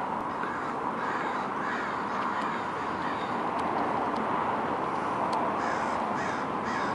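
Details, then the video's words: Several American crows mobbing a predator, giving harsh, hoarse caws about four per second in an overlapping, continuous chorus. "American Crows mobbing a predator"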